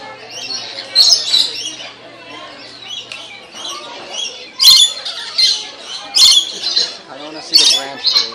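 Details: Lorikeets at Columbus zoo feeding exhibit as visitors offer cups; loud harsh high squawks in sharp bursts roughly every second or so, over a busy chatter of other birds and quiet people.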